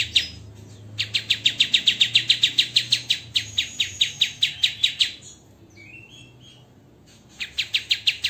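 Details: Master recording of white-rumped shama for training songbirds, dense and harsh tembakan: a rapid series of sharp high notes, a pause with a few soft lower whistles, then the rapid chipping resumes.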